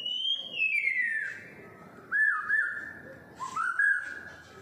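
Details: Six-and-a-half-month-old pet white-rumped shama, tail not yet full, in morning Singapore: a long descending whistle, then short looping whistled notes and a rising fluty note, spaced by quiet gaps.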